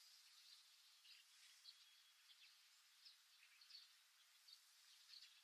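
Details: Hawfinch call notes: faint, sharp, high ticking notes, irregularly spaced about once a second, over a soft background hiss.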